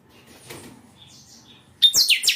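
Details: Captive-bred chanchão singing: after near silence, a short loud phrase at the end opens with a thin pure whistle and then drops into a quick cascade of bright, high, slurred notes.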